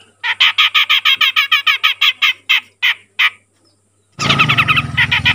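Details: Young grey-cheeked bulbul that has started calling readily. It gives a fast, even run of harsh, buzzy notes that slows into a few spaced squawks, followed by a loud burst of dense, noisy chatter.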